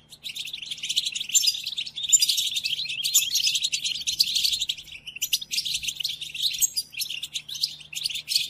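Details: Goldfinch song for tutoring caged goldfinches: long stretches of fast, high twittering and tinkling trills, rising in intensity and then easing, over a low hum.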